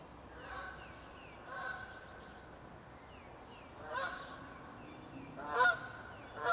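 Nasal, rich honks of a goose come every second or two, growing louder near the end as the bird approaches, over a quiet night background.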